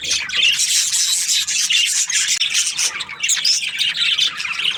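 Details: Budgerigars chirping in breeding season: a constant mass of high scratchy warbles, chirps and squeaks from a crowded group.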